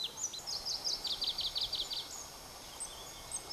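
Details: Pallas's leaf warbler in Mongolia's Khovsgol Aimag near Erdenebulgan, July, singing a fast, even trill of repeated high notes after a few sharp chips, followed by scattered faint high calls.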